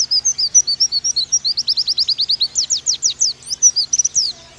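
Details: Oriental white-eye of the Bakalan type in a continuous fast song: high, thin whistled notes, each sliding down, poured out several per second for the whole stretch.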